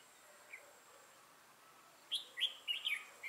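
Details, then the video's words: Red-whiskered bulbul decoy with a 'mào lân' crest and dark bib, used to lure wild birds into a trap on 6 November 2018. After near quiet, it breaks into a rapid run of loud, bright chirped and warbled notes. "Bẫy chào mào Mào lân hầu bò yếm đậm"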